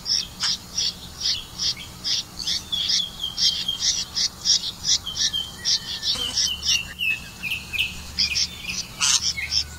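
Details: Red-vented bulbul catching crickets to feed its young: a busy series of high, sharp chirps repeated in quick succession, some with thin whistled tones underneath, plus a few louder squeaky notes near the end.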